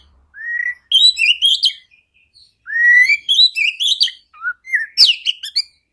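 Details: Lure recording of an Oriental magpie-robin, played so that silent magpie-robins start singing. Rich rising whistled phrases alternate with scratchy warbles in two bursts separated by a short pause, finishing with a sharp high note and trailing whistles.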